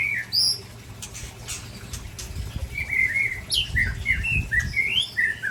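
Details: Two white-rumped shamas, Ujong Pancu and Tangse varieties from Aceh, spar with loud slurred whistles and a closing string of evenly spaced chirped notes, faint thumps below.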